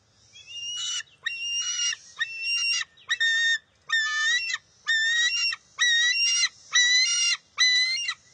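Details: An eaglet struggles with its mother for a fish at a bald eagle nest, June 23, 2021. Nine loud, piercing, rising-and-falling squeals repeat almost evenly, roughly one per second, with little background noise.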